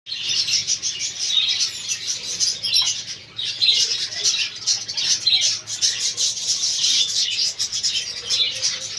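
Many budgerigars chatter together in a dense, continuous wash of high twittering and chirps.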